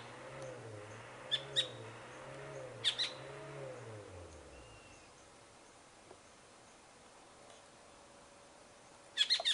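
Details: Asian Black Bulbul perched on a tree branch, giving short, sharp, high chirps in brief clusters spaced a few seconds apart, with a final burst at the end; a low wavering hum runs underneath during the first half.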